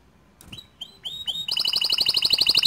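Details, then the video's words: Green canary song as tutoring material, starting with a few soft rising whistles and swelling into a quick, buzzy repeated trill with bright overtones. "Kicau Kenari Hijau Botol Untuk Masteran kenari Paud & Bahan"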